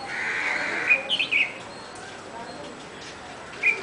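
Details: Red-whiskered bulbul singing: a few brief, bright whistled notes in a short cluster, then a pause before one more clear note, over a quiet background hiss.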